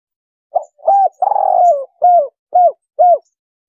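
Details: Single phrase of a spotted dove's 'kuk 3' call, used as a trapping lure. Low, mellow coos surround a longer, vibrating purr, and three clipped notes at steady half-second intervals close the phrase. No other sounds.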